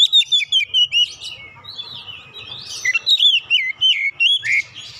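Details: Oriental magpie-robin lure song to get birds singing: quick repeated whistled notes, a buzzy mid section, then more bright chirping and slurred whistles.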